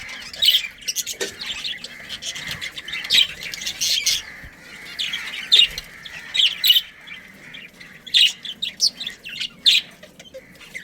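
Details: Budgerigars of a breeding colony calling steadily, overlapping harsh chirps and squawks in irregular clusters across the whole stretch, several birds at once.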